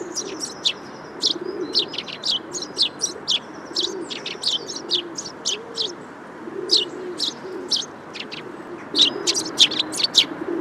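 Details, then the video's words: Eurasian tree sparrows (Passer montanus) chirp in quick, sharp bursts, several birds calling over each other, while a low, soft cooing runs underneath. "Tree sparrow1h bird sound"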